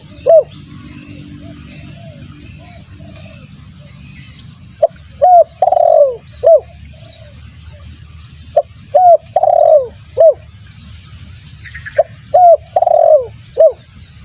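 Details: Spotted dove lure call used to attract birds: loud cooing phrases of short hooked notes and longer throaty descending coos, repeated in bursts, with faint bird chirps and low background hum.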